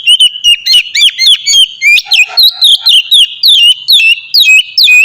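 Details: Oriental magpie-robin in free, melodious song meant to prompt other magpie-robins into singing: a steady stream of clear whistled notes, each with a flick up or down, mixed with crisp ticking clicks, about two notes each second.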